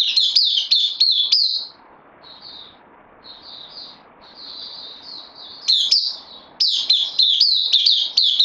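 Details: Caged bulbul on loan, new arrival, September 2020. Fast high chirps open the passage, fade to faint soft notes in the middle, then return as loud, quick, falling chirps.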